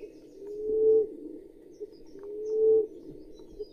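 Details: Common emerald dove (Chalcophaps indica) giving soft, low, hollow coos that swell and rise slightly, two in under four seconds, against a faint background hum.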